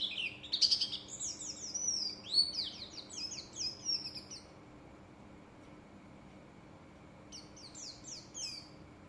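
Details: Japanese white-eye of the buxtoni type learning its song: bursts of high, rapid chirps and thin twittering notes, busy for four seconds, a quiet gap, then another short twittered burst near the end.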